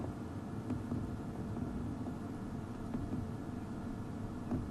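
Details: Outdoors, a continuous vehicle engine drone with a few faint clicks fills the recording, and no animal call stands out.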